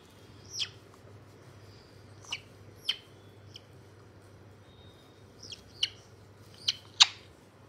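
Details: A white-bellied caique recorded 27 August 2022 utters scattered high squeaks and short whistled notes, ending in a louder harsh screech, above a steady low hum.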